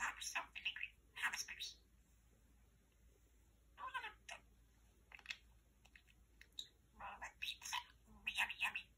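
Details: Pet male parakeet chatting to a lamp, sharing favourite phrases: scattered bursts of raspy, speech-like chatter with gaps of near silence between them, faint room hum underneath.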